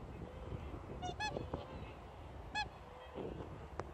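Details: A whooper swan parent gives two loud, bugling honks about a second and a half apart, signalling the flock to take off, over a steady low rumble.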